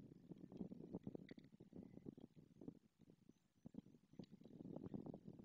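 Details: White storks, a breeding pair at their nest in Madrigal de las Altas Torres, Spain, greeting each other as the male arrives after the female laid a second egg; dense rapid wooden clattering in bursts, with faint higher chirps.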